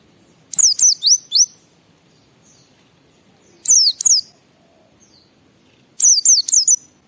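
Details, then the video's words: White-eye delivering ngalas song to stimulate other white-eyes: three groups of three or four rapid high, thin, falling whistles, spaced about two and a half seconds apart against quiet surroundings. "Suara Burung Pleci Gacor membuat Semua Pleci langsung ngalas Bongkar Isian"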